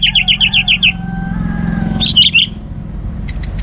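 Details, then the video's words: Orange-headed thrush singing hard to prompt other birds into song; a rapid run of about eight repeated chirps, then a thin sustained whistle, a complex scratchy phrase, and three short high notes. "ANIS MERAH Gacor Untuk Memancing Burung Jadi NGeplong Bahkan Teler"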